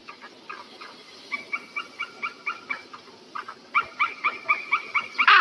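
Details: Eagle giving a long run of quick, squeaky, tonal yelps, several per second. The run starts soft, pauses briefly, then grows louder and faster and ends in a harsh, loud burst.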